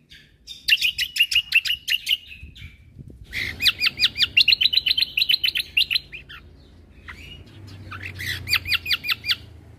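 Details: Cucak kombo song played to train caged birds, packed with rapid 'tembakan' phrases: bursts of fast, sharp, high chirps in quick trills, broken by short pauses, with a bright steady run in the middle.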